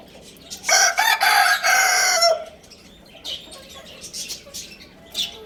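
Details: Rooster of the Lohmann Brown breed crowing loudly in Lalukhet bird market: a harsh, rich crow of about one and a half seconds in several connected pulses that drops at the end, followed by the chirps of many small birds.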